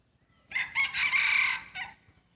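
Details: Breeder rooster competing in a first crowing contest, crowing loudly and clearly: two short opening notes, a long even sustained phrase, then a brief falling tail, over a quiet background.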